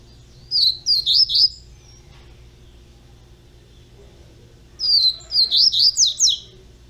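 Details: Young double-collared seedeater singing two short bursts of high, slurred whistled notes, each phrase of four or five quick rising-falling notes, separated by about three seconds of quiet with faint low hum.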